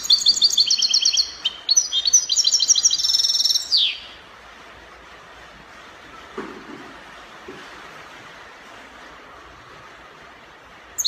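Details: European goldfinch from Morocco in copia song style, delivering a sustained four-second run of fast, high, jingling trills and chirps that ends in a sharp descending note, followed by low background hiss and a faint thump.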